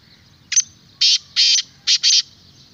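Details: Black francolin, known locally as kala teetar, giving a harsh, grating call: a short clipped opening note, then four longer rasping notes in a quick rhythmic phrase lasting under two seconds, over a quiet background with faint low hum.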